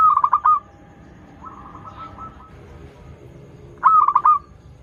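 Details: Frequently singing local zebra dove, a lure for doves learning to sing: a rolling cooed phrase opens, a softer sustained trill follows, and another stuttering phrase comes near the end.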